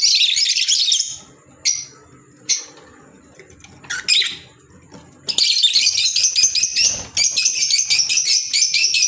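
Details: Green Fischer's lovebirds, kept as pets, giving loud high shrill chirping bursts, a few short squeaks then rapid buzzy chattering runs repeated quickly near the end.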